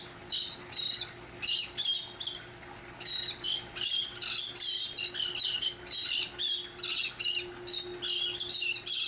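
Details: Elegant terns at a large nesting colony on barges in Long Beach Harbor, California, on August 13, 2021, give overlapping harsh, grating high squawks about twice a second over a faint mechanical hum.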